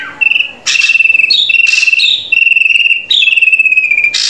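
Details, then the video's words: Drongo song for training a captive bird to sing: long steady trilled whistles held at one pitch, interrupted by short harsh noisy bursts, with a brief step up in pitch midway. "Masteran Burung Srigunting Agar Cepat Gacor"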